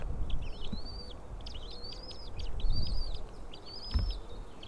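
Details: White-tailed eagle nest, nest camera, 20 April 2016 at 7:38: the female feeds three newly hatched eaglets beside a pile of fish. High whistled arching calls, with brief chirps between them, repeat roughly every second over low rumble.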